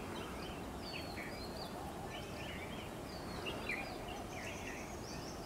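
Indian roller giving harsh, scratchy, croaking notes in short bursts, repeated over steady low outdoor rumble and hiss.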